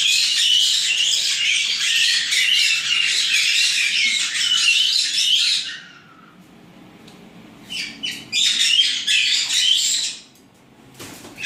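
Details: White-bellied caique babies, nine in an aviary near Dallas, Texas, squawk in a dense raspy chorus for six seconds, fall silent, then resume with another loud burst of chatter before stopping again.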